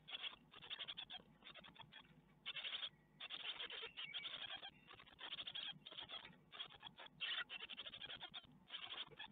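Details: Great tit nestlings in a nest watched by webcam at Ostwald, 12 May 2021, being fed a spider; a dense, rapid chorus of harsh, buzzy chirps comes in bursts of about a second, with short gaps between them.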